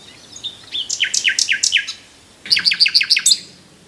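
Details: Common nightingale singing two distinct phrases: first a run of rapid descending slurred notes, then after a short pause a fast series of sharp, clicking high notes repeated about seven times.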